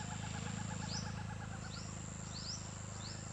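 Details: Forest Owlet in a hilly area of teak and mahua trees near a main road in Valsad District, Gujarat, India, giving a quick run of about ten short, even mid-pitched notes; other birds' chirps, a high whine and engine hum.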